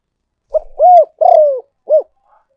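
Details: Spotted dove decoy call for luring birds. A single crisp phrase: a brief introductory note, a smooth arched coo, a longer rough descending coo, then a short closing coo. Quiet background.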